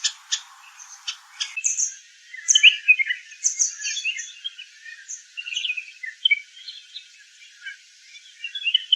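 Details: Red-whiskered bulbul calling: a run of bright, varied chirps and short whistled notes in quick irregular bursts, some sharp clicks at the start, no other clear sounds.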